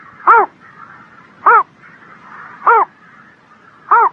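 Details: Bird on a spring morning with four clipped, arching calls rich in overtones, spaced about 1.2 seconds apart, with softer warbling noise filling the gaps.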